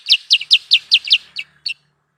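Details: Lure call of a sooty-headed bulbul, used by trappers: six loud, high, downslurred chirps evenly spaced about a fifth of a second apart, followed by two softer notes and then silence.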